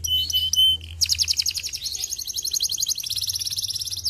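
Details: Canary song played to stimulate canaries to sing: a few high, pure whistled notes and buzzy bursts, then a long, fast, even high trill of rapidly repeated notes that shifts pace near the end, over a faint low hum.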